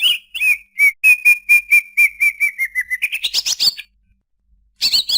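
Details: Greater green leafbird singing a steady series of about a dozen even whistled notes that drift lower, then climb into a fast rising jumble of chirps, a pause, and a final burst.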